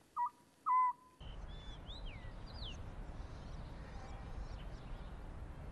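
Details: An Oriental scops owl, a summer visitor in Korea that eats moths, gives a territorial call of two short, mid-pitched hooted notes within the first second. Steady outdoor noise follows, with other small birds chirping faintly.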